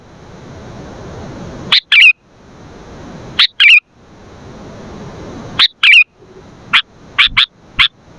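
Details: Lively sooty-headed bulbul singing, meant for luring and tutoring other bulbuls: clipped liquid double notes with a wavering second syllable, then a quicker run of sharp chirps toward the end, over soft hiss.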